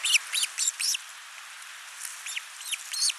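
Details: Ospreys at a Finnish camera nest, 29 June 2024, the father bringing a big live fish and the mother feeding their only chick; a rapid series of shrill, downslurred whistled notes, loud at first, then softer ones, over steady hiss.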